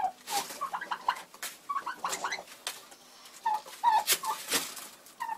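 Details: February recording of a frustrated broody Bronze turkey hen making scattered short, whiny, tonal notes, some slurred upward, in small groups, with sharp clicks and rustles between them.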